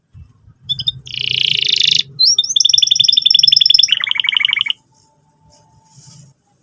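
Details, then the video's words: Canary singing, lively song for young canaries learning to sing: a few sharp chirps, a harsh buzzy burst, then fast rattling trills of repeated bright notes dropping in pitch before stopping, with faint low background hum. "pancingan burung kenari gacor cuit cuit emosi, kesukaan kenari muda belajar bunyi"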